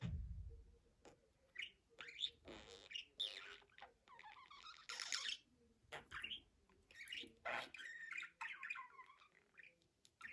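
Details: Budgerigar talking and chattering: a long, steady stream of squeaky warbles, clicks and breathy speech-like notes with rising and falling whistled fragments, indoors.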